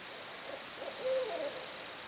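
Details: Barred owl hooting amid jungle-like noises: a few faint hooted notes lead into one louder, held low hoot that drops off at the end, partly masked by steady hiss.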